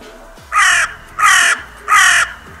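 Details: Three loud, raspy caws spaced about seven tenths of a second apart, each harsh and noisy with a flat, grating tone, from crows at the Steinrevier feeding site on 6 January 2022.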